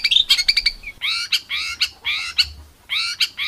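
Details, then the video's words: Bird heard in tutor material for contest songbirds, described as rough bursts. Harsh, squawky downslurred calls are repeated about twice per second, after an opening of quick chattering notes, with no other sounds. "MASTERAN BURUNG LOMBA"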